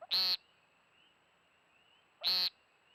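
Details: American woodcock, also known as timberdoodle, giving its strange beep at night in a backyard, during the season of its flight display. Two short, harsh, nasal buzzy beeps come about two seconds apart over a faint steady hum.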